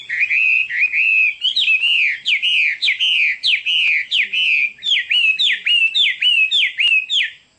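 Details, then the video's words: Loud Chinese hwamei song: a long series of rich whistled notes, each swooping down and repeated about every half second, becoming quicker and more clipped near the end. "Chim họa mi đẹp và hót rất hay"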